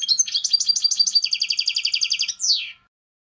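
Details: European goldfinch singing a rapid chain of liquid, tinkling trills, rolling notes in steady succession, ending with a sharp descending slurred note; clean recording, nothing else audible.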